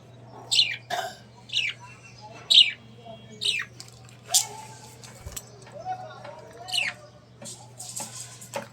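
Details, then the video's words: Budgerigars chirping: quick warbled and swept chirps, some sliding high, scattered irregularly with soft chatter between them, over a steady low hum. "Budgies Chirping"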